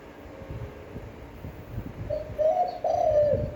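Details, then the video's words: Spotted dove coo in a standard voice used for daily decoy training: background noise for two seconds, then a soft lead note and two long, slightly falling hooting syllables at the end. "Tiếng chim cu gáy chuẩn (kích bổi, hơi dài, giọng hấp dẫn, luyện bổi mỗi ngày)"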